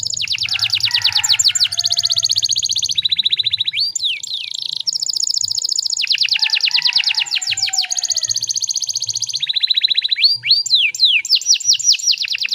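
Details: Canary singing non-stop as a lure to get other canaries singing: alternating fast rattling trills, smooth high sustained trills and downward-sweeping slurs, all bright and loud.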